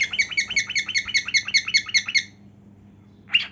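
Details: Cockatiel singing while dancing and showing its heartwings: a quick run of about thirteen bright, chirpy whistled notes over two seconds, then a pause and a single sharp squawk.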